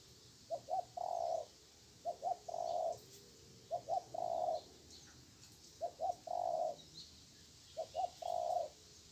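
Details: Fierce wild spotted dove with a strong voice responding to a decoy during trapping: five steady repeats of a phrase of two short coos then a held low coo, calm rural background.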